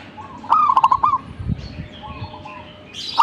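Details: Zebra dove singing: a clear phrase of a rising opening coo then rapid beaded notes, followed by a fainter, similar phrase and the start of another, over low background rumble.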